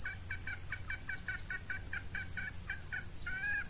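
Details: Red junglefowl during lure trapping with a female decoy drawing in wild males in hot breeding weather; rapid clucks repeated about four times a second, ending in a longer drawn note, with constant shrill insect buzz behind.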